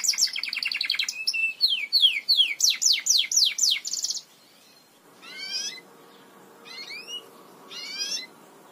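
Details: Song of a Belgian canary, meant to train canaries to sing: a fast trill, then a string of sweeping downslurred whistles about three per second, then a pause with a few soft rising calls.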